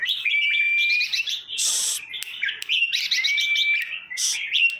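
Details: Caged red-whiskered bulbuls from Trang province, Thailand, recorded to excite other caged birds: overlapping bright whistled phrases and chattering notes with a long level whistle, broken by short bursts of rustling noise.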